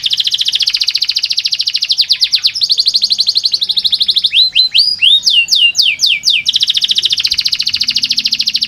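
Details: Canary song for stirring lazy caged canaries into song: a long, dense high trill, a stretch of quick upward-hooked notes, then the rattling trill returns, with a slight low background hum.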